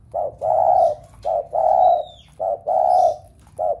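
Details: Cooing spotted dove urging other doves at home to coo: paired low coos, short then drawn out, repeated rhythmically about every second, with a thin high whistle and light chirping in the background.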